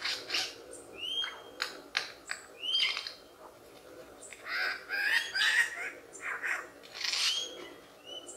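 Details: A lyrebird runs through a long, varied medley of borrowed sounds: sharp clicks, rising whistles and dense chattering bursts, delivered almost without pause over several seconds.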